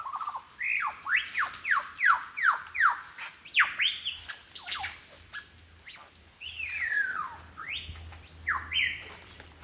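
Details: Along Forest Path in Royal National Park, Sydney, a lyrebird imitates other birds with a rhythmic series of sharp, falling whistled strokes about three per second, followed by rougher, wavering mixed calls.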